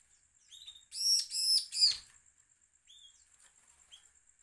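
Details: Bar-winged prinia threat call, a lure for drawing other birds into song. Three loud, rasping, stacked notes in under a second, surrounded by brief soft chirps and a steady high whine.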